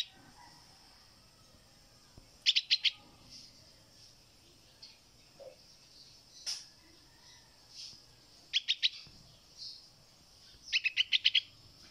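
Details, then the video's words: Hand-raised 16-day-old fledgling bulbul (pulangga), rescued from a cat after falling from its nest, calling for its mother while practising flight outdoors: quick bursts of three to six sharp, high chirps separated by pauses of a few seconds. "Baby Bulbul Bird (Pulangga) Calling Mom While Practicing To Fly in the Open"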